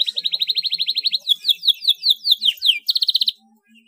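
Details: Canary singing rolls and rattling phrases: a rapid buzzy trill of repeated notes, then slower descending whistled sweeps, ending with a quick bright trill.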